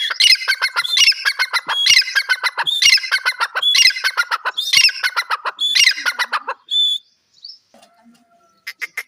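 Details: Francolin giving its natural call: harsh, scratchy phrases in repeated bursts about once a second for six seconds, then a few scattered thin squeaks after a short pause.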